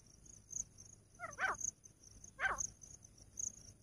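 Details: Female grey francolin in the jungle gives two loud, harsh, harmonic-rich notes about a second apart, each a short descending burst, over steady high-pitched insect ticking.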